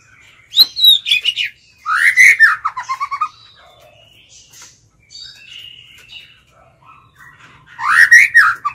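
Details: White-rumped shama singing as a decoy to call out wild birds. A high thin note, then a bold rising and falling whistle with a brief rattle, quiet soft warbles, and another loud swooping whistle at the end.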